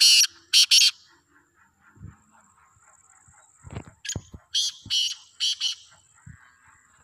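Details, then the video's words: Black francolin (kala teetar), free and active: two harsh grating bursts open, then after a quiet stretch several loud raspy notes in a rhythmic series, with faint ticking in the background. "Black Francolin Voice Kaly Teetar Ki Awaz"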